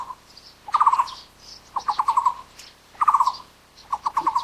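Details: Taiwan barbet, endemic to Taiwan's broadleaf forests, calling in rapid hollow note bursts of about five notes, some phrases faster and some more spaced, repeated about every second, with soft high chirps in the background.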